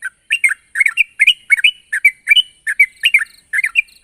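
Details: Sooty-headed bulbul in full voice calling a rival, giving short liquid two- and three-note chirps, rising then falling, repeated roughly every half second with a faint high-pitched background whine.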